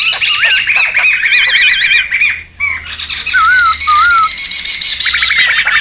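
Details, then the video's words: Wild laughingthrush calls for luring and tutoring: rapid wavy trilled whistles and harsh squawking chatter, a short pause, then slow looping whistles over continued noisy chattering. "SUARA PIKAT DAN MASTERAN SEMUA BURUNG POKSAY RIBUT ALAM LIAR"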